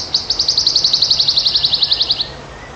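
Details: Song of a wild wood warbler: a fast run of high, thin, repeated notes that speeds up into a dense, even trill lasting about two seconds, then stops abruptly. Little else is heard.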